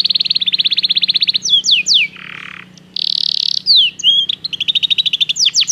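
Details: Belgian canary song used for training: a steady pulsing trill, a few sharp downward sweeps, a soft buzzy patch, then a dense loud rattle and more rapid trills, with a faint low steady hum underneath.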